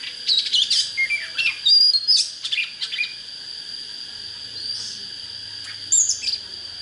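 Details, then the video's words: Oriental magpie-robin, singing to provoke wild birds to fight: a burst of quick varied whistles and chirps in the first half, a lull, then a brief high phrase, with a steady shrill hum behind. "Chích chòe than HÓT HAY"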